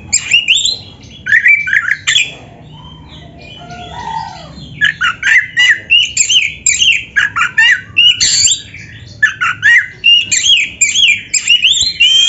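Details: Busy, actively singing Indonesian oriental magpie-robin delivering a dense, filled song: a nearly continuous string of varied whistles, sharp chips and slurred notes, with a brief lower warbling pause near the fourth second.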